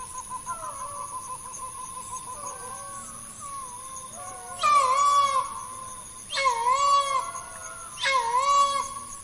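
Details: Green peafowl calling: three loud, harsh, nasal calls, each about a second long and rich in harmonics. They come roughly every two seconds after softer, wavering notes, over a steady high background whine.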